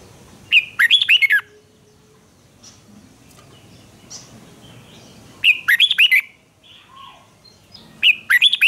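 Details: Duel-style song of a red-whiskered bulbul, used in voice training to provoke young birds into competitive singing: three short bursts of bright warbled notes, spaced several seconds apart, with faint chirps between them.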